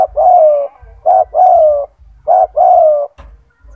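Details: Gacor spotted dove (tekukur) with a big, loud, strong voice, kept as a master bird for training other doves: low mellow coos, a short double note then a long falling coo, repeated twice in under four seconds.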